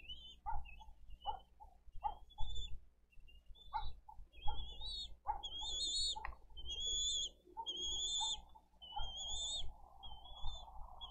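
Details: Nest-cam recording from Dade County, 20 April 2023, with Bald eagle chicks begging while the elder chick kicks its siblings away from food. Soft knocks and tearing sounds at first, then a run of shrill, wavering whistles repeated every second.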